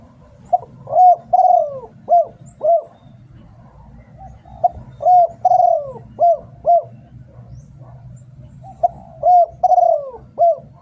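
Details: Spotted dove in Thailand, a bird kept for singing contests, repeating a phrase of deep hooting coos: a short note, a longer drawn-out descending coo, then two or three short coos, the phrase heard three times over a low background hum.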